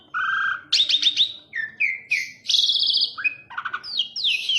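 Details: Jalak suren, the Asian pied starling, singing a mix of clear whistled notes, a rattling buzzy burst, sliding upward and downward whistles, and harsh scratchy phrases in quick succession.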